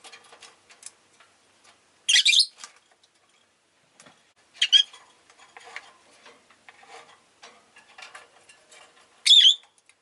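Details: Rosy-faced lovebirds kept as pets, several calling freely: three shrill, rasping chirps spaced a few seconds apart, with soft clicking and shuffling noises throughout.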